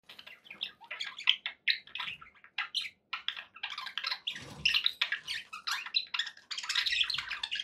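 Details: Pet budgerigars, described as happy, chattering indoors: rapid bursts of warbled, chirping notes and short squawks, mostly high-pitched, running in quick clusters with brief pauses and faint low thumps.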